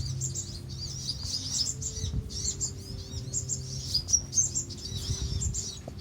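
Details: Van Hasselt's sunbirds in a colony at Pulau Perhentian, Terengganu, Malaysia, June 2017: thin, high twittering chirps in quick overlapping bursts, a steady low hum underneath.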